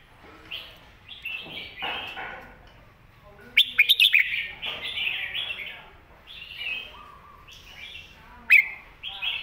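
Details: Red-whiskered bulbul master song for teaching young birds, with bright whistled phrases repeated in groups, loud clicky bursts near four seconds and again near eight and a half seconds.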